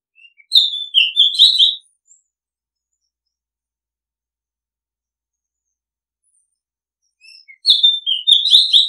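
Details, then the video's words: Oriental magpie-robin song from a looped Thai decoy recording: two sweet whistled and warbled phrases about seven seconds apart. Each phrase carries faint high scratchy notes, and there is silence between them. "Oriental Magpie Robin Sound Long play เสียงร้อง นกกางเขนบ้าน"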